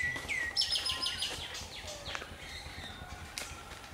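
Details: A black-hooded oriole in Kerala gives a harsh, buzzy call after a brief falling whistle, with other chirps nearby.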